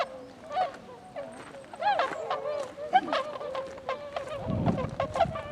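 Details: Tundra swans (Cygnus columbianus), recorded in Japan on 26 February 2012, give mellow, nasal honking calls from several birds at once, overlapping in an irregular chorus with bugling notes and a low rumble.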